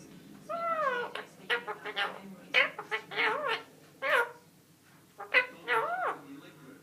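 A parrot babbles in voice-like, meow-ish syllables that rise and fall, delivered in quick bursts with short pauses, indoors and otherwise quiet.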